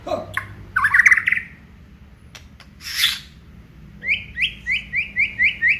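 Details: Aceh white-rumped shama, daily singing. Chattering notes and a harsh burst come first. After a short gap, a rhythmic series of about seven identical upward-flicking whistles follows, about three per second.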